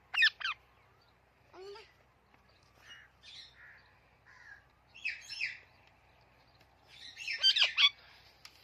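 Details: Talking parrot calling in a mix of two sharp squawks, a low short whistle, soft scratchy chirps, and a louder burst of harsh, chattering squawks near the end.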